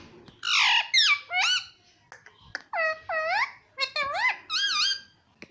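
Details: Pet parrot imitating human words indoors: a series of nasal, squeaky speech-like syllables with swooping rising and falling pitch, in quick bursts with short gaps.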